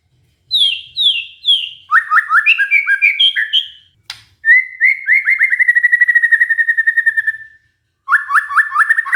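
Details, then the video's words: White-rumped shama singing, used as a lure for stressed shamas that have gone quiet. Descending whistles, then quick stuttering notes and a long, steady, rapid trill, ending with a new burst of chopped notes. "pancingan murai batu macet bunyi karena stres"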